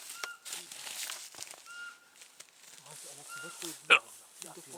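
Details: A Eurasian pygmy owl gives three short, flat, whistled notes about every one and a half seconds in Solska Forest, Poland, on 6 January 2015 in winter, with quiet speech throughout and a sharp hiccup near the end.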